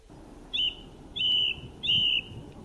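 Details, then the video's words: A wild bird gives three clear, high whistled chirps about two-thirds of a second apart, each sliding slightly downward, over a faint low background rumble. "Sound Of Chirping Birds In The Wild"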